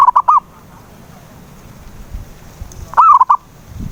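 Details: Zebra dove lure call aimed at a silent dove: the tail of one rolling coo phrase, then a full phrase of four quick mellow notes after a quiet gap of about two and a half seconds.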